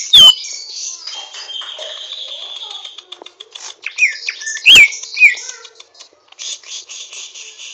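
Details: Greater green leafbird (Chloropsis sonnerati) giving rough 'ngriwik' twittering while learning to sing fluently: a steady high scratchy chatter broken by sharp whistled notes at the start and near the five-second mark.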